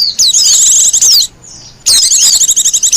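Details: Japanese white-eye, a wild bird, its song used for luring and as a master song; dense high twittering trills of quick sliding notes, a half-second gap, then the chatter resumes just as fast.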